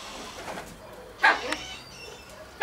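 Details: Male Mrs. Hume's pheasant courting a female gives two short, harsh, clucking calls about a second and a half apart, over a faint background hiss.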